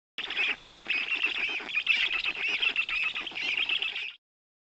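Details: Black stork chicks at a nest in Puszcza Notecka forest, Poland, on 18.06.2021, as their father brings big fish for lunch. They give harsh, wheezy calls in a rapid, nearly continuous chatter for about four seconds, broken by one brief pause near the start.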